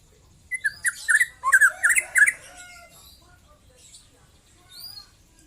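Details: Young white-rumped shama just out of its speckled juvenile plumage gives a quick burst of eight or so loud, slurred whistled notes within two seconds. Softer scattered notes and a faint high whistle follow in near silence.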